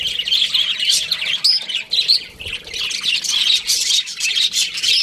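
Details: Baby budgies in an aviary, a lively mix of high twittering chirps and harsh little squawks, continuous and overlapping throughout.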